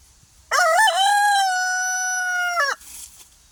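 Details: Free-range pastured rooster crowing on an off-grid homestead: a loud crow opening with a quick wavering rise, then a long level held note of about two seconds, ending with a short downward drop, with quiet background rustle.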